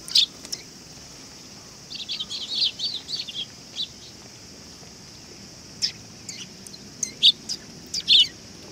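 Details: Sparrows arriving to be fed at a shrine in Japan, 18 August 2020: scattered sharp, high chirps, single and in short bursts, against a steady high-pitched hiss of background noise.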